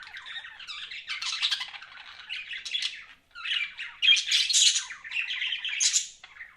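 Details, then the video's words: Pet budgerigars chatter loudly and nonstop, buzzy warbles and squeaky chirps layered together, growing brighter and busier toward the end. "BUDGIES CHIRPING SOUND"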